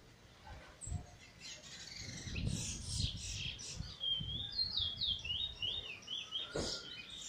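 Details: Bird recently out of molt singing for the first time, January 2022, described as weet teeture and flute roll; soft whistled notes and slurred tonal phrases in a rapid string near the end, over low rumbling background noise.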